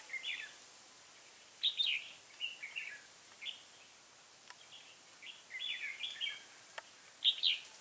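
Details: During a decoy trapping session on 3 October 2018, a first-brood red-whiskered bulbul with a dark bib gives lively chattering phrases of quick warbled notes in separated bursts over a quiet background, with faint ticks between them.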